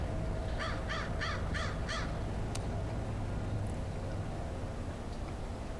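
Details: Crow cawing after a quiet spell: five hoarse caws in a quick series over about 1.5 seconds, then stops, with steady loud low hum and rumble throughout and a brief click.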